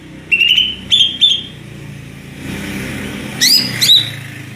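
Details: Greater green leafbird singing ngeplong-style whistled notes, a few drawn-out mid-pitched whistles then two bright falling notes, over steady background traffic noise.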